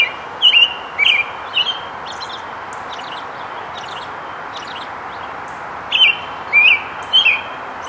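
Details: American robin singing two runs of three short, clear, slurred whistled phrases, about half a second apart, while foraging and collecting nest material, over a steady outdoor hiss with faint thin notes from another bird.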